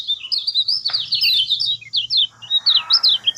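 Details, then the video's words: Lemon-bellied white-eye song for prompting a silent bird: quick, bright, high twitters in short phrases, a slight pause, then more rising and falling chirps. "SETTINGAN AMPUH PANCING BUKA SUARA KECIAL BISU"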